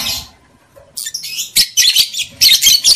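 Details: Breeding-stimulation chatter of a female lovebird: a harsh opening note, a short pause, then rapid scratchy high chirps that grow denser and louder, about two per second.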